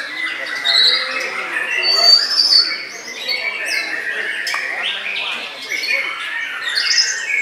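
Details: White-rumped shama bowing low while singing, a dense run of varied whistles and sharp notes, many sliding and rising, with a loud burst near the middle and steady high phrasing throughout.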